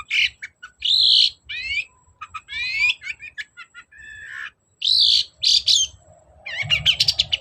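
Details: Vigorous long-tailed shrike song used to make a silent bird sing: long harsh buzzy notes, quick rising sweeps and scratchy chirps in a varied, continuous medley.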